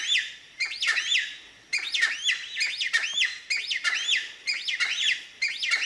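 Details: Male cheer pheasant calling in his territory at Manila, Uttarakhand, about 2 hours from Corbett Tiger Reserve: loud, ringing notes that arch up and down in pitch, run together in quick repeated bursts about once a second.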